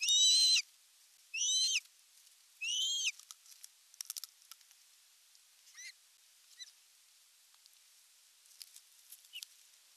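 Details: Male Osprey bringing a big fish to nest #1, Satakunta region, Western Finland, July 19, 2022, captured on a nest camera; three loud, high whistled calls in quick succession, followed by faint scattered chirps.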